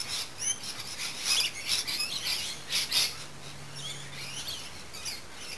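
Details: Garden birdsong in the late afternoon, with quick bright chirps and short twittering bursts rising and falling in clusters about every half second, over a soft low hum.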